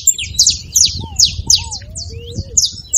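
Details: Saffron finch singing to rouse a silent canary: quick sharp high chips, several per second, alongside low drawn-out whistled notes and a light low hum.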